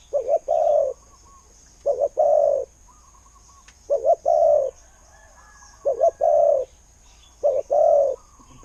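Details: Spotted dove, a decoy bird said to call well and bring results, cooing in clear phrases: two short clipped notes then one longer, steady low coo, repeated about every two seconds over faint steady background hiss.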